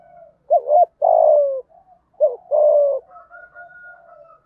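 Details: Spotted dove delivering 'thúc gù' coos in 'giọng thổ' voice to rouse other doves: two loud phrases in quick succession, each a trembling double note then a falling coo, followed by quieter drawn-out cooing.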